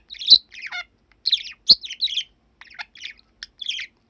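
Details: Indoor pet budgerigar, male, aged seven, talking somewhat nervously on 21 December 2019: clipped, buzzy chirps and squeaky speech-like phrases delivered in irregular bursts, with sharp clicks between them and silence behind.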